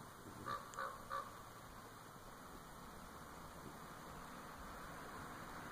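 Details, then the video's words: Unseen common raven calling from a tree in Winlock, Washington, USA: a rapid burst of three short, harsh, nasal notes at the start, followed by several seconds of quiet with a steady background hiss. "Raven Call 2"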